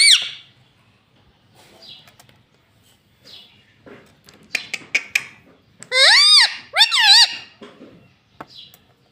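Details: Talking pet parrot that says "Mummy" and "Mitthu", in a small room: faint murmurs and clicks, then two loud harsh calls around six and seven seconds, each arching up and down, and soft sounds after.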